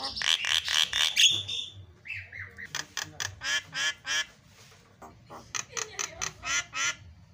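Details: Javan myna (jalak kebo) song for training other mynas, with 'isian' fill phrases: rapid runs of harsh, nasal, quack-like notes, about four a second, broken by a short whistled slur and a pause.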